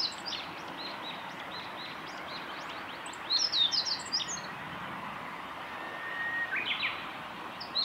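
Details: Male meadow bunting singing on a forest road at Miyagase Lake, 6 May 2016: brief bright phrases of sharp, high twittering notes, one mid-clip and another near the end, with faint softer bird notes and a steady background hiss.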